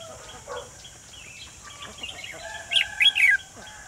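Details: Decoy red-whiskered bulbul calling wild birds toward a trap, 28 June 2020; after a quiet start, a loud quick run of three high chirped notes near the end.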